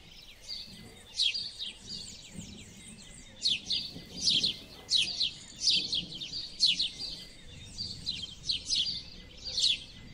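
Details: House sparrows singing: a busy series of sharp, high, downslurred chirps, often overlapping, given in bursts about every half second to second over soft low background noise.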